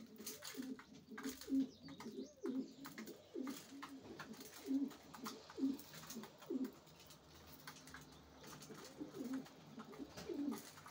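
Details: Racing pigeons cooing steadily in a loft, low burbling coos repeated roughly once a second in an uneven series, with faint clicks and shuffling between phrases.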